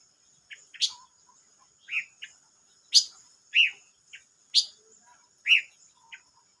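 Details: Silver-eared mesia singing, 25 May 2022: sharp high chirps alternating with lower slurred notes, about one per second, separated by brief quiet gaps, over a thin continuous high-pitched whine.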